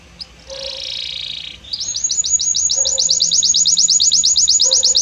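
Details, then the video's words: A short high note and a hissing buzz from a Belgian canary, then a fast, regular series of sharp high chirps that keeps going, with soft lower calls behind it. "Magnífico Como canta este Canário Belga!"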